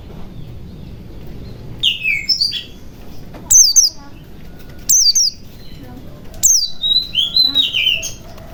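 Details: White-eye song used to coax quiet birds into singing. Thin descending whistles come in short bursts, then a longer twittering phrase of sliding notes near the end, over faint background noise.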